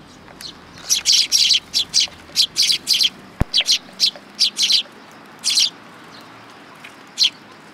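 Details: A group of Eurasian tree sparrows comes to be fed at a Tenmangu shrine, 19 August 2022. Insistent chirps run in a fast, steady series for about four seconds, then thin out to a few spaced notes, with one sharp click.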